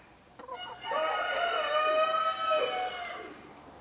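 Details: Partridge-coloured Araucana chickens, a domestic breed from Chile, with one rooster giving a single long, drawn-out crow. It opens with a brief rising note, then holds a steady harmonic tone for about two seconds before fading.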